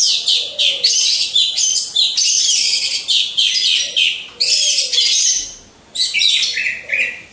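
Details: Orange-headed thrushes, captive and hung in a row, sing in repeated loud bursts of dense, high, chattering trills about every second, with soft low cooing notes behind.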